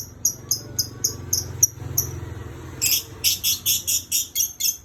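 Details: Lovebird whistling again and again: a quick series of short, piercing high notes about four per second, then a louder, harsher run of rapid chirps, with a faint low hum beneath.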